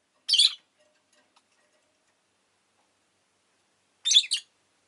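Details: Two sharp, raspy chirps from a rosy-faced lovebird kept at home, the second a stuttered double, about four seconds apart with silence in between.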